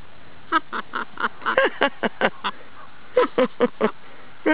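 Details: A pet male macaw that loves to laugh cackles a humanlike laugh, a quick run of eight hoarse "ha" syllables, a short pause, then four more at a steady bouncing pace.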